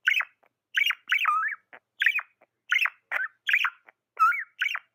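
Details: Budgerigar kept as a pet gives rapid, irregular chirps, about eighty-six a minute, each a sharp downward-swooping note, some joined into short wavering phrases.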